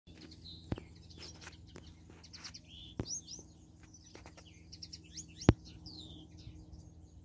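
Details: European goldfinches in spring twittering in quick, liquid, tinkling phrases, high and bright, over a low background rumble with a few sharp clicks.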